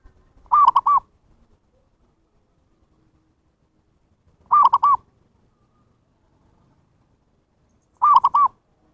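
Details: Zebra dove (perkutut) lure call for attracting wild birds: three short cooing phrases near 0.6, 4.6 and 8.2 seconds, each a quick run of rounded, mid-pitched notes, with silence between them.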